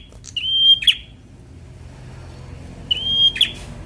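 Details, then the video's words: Semi-young Bar-winged prinia singing in fighter style, a recording meant to provoke lazy birds into singing: two phrases, each a long steady high whistle ending in a sharp buzzy downward burst, separated by about two seconds. "Prenjak Semi Muda fighter || Rangsang bunyi burung Malas bunyu"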